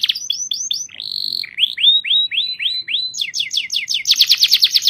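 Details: Canary singing a fast, varied song: rapid repeated slurred notes, a steady buzzy tone, then runs of rising whistled notes and a rolling high trill, all continuous and sweet.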